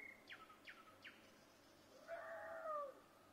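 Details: Nightingale song recorded in Vinnytsia, Ukraine, 25 May 2024: three quick downward-sweeping notes, then a long, swelling, slightly rising whistled phrase, over faint low background noise.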